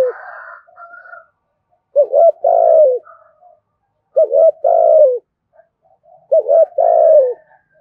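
A spotted dove gives three mellow, low coo phrases, each two quick notes and a longer drawn-out coo, about every two to three seconds. Faint softer notes fall between them.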